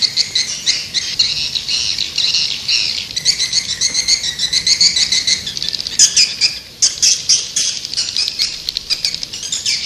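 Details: Continuous high swiftlet twittering, a layered buzzy chatter of many rapid chirps that swells and fades over ten seconds.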